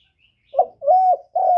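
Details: Part of a spotted dove's coo: a short soft note, a sustained level coo, then another long coo beginning as the recording ends. The tones are low and hollow over a quiet background.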